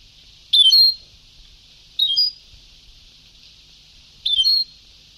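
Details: Old Sebtaoui song recording of a European goldfinch, giving three brief chirping, trilled phrases spaced roughly one and a half seconds apart against low constant hiss.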